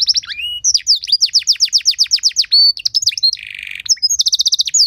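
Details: Canary song intended to draw other canaries into singing; quick series of sharp descending notes, a harsh buzzy phrase, then a fast high rattle-like trill.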